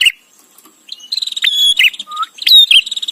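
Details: Bar-winged prinia used as tutor song for white-rumped shama: a rapid rattling trill, sharp whistle, buzzy note and a short low whistled slur, followed by another whistle-and-buzz phrase.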